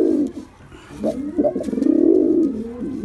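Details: A pigeon's low coo opens, a quiet moment follows, then stuttering notes lead into a long, swelling, drawn-out coo.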